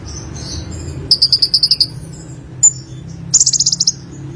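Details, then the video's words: Olive-backed sunbird giving a short series of about eight clear high chirps, a sharp single note, then a rapid buzzy trill, with faint low hum behind. "BURUNG KONIN SUARA GACOR FUL MATERI 100% JERNIH"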